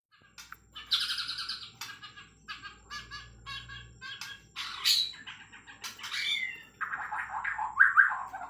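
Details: A Bornean white-rumped shama from Kalimantan sings a long, varied run of rich whistles, rapid chattering trills and sharp rising notes, phrase after phrase with barely a pause.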